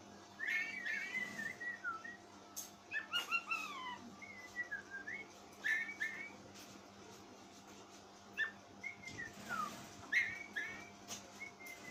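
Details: Oriental magpie-robin kept by an owner, voice described as strange and frightening: a lively run of varied whistled phrases, slurred up and down, with quick trills and chips, continuing steadily, over a faint hum.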